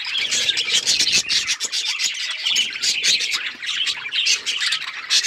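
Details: A group of budgerigars chirping loudly in a dense wall of high twitters and squeaks.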